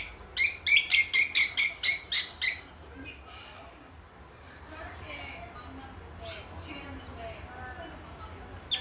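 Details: A quick run of about nine evenly spaced, bright, high chirps from baby lovebirds a few months old, then softer scattered chatter as they converse.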